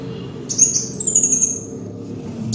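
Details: Kolibri wulung (Van Hasselt's sunbird) in a lure recording, one thin, very high phrase: a sharp note, then a fast buzzy trill that slides gently downward for about a second, with a brief high click near the end.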